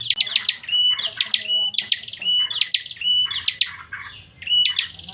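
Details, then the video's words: Kept bar-winged prinia giving an unusual call: bursts of sharp, rapid chirps mixed with a steady high whistled note and buzzy rasps, repeated roughly every second, loud and close, over a faint low indoor hum. "Suara aneh burung Prenjak"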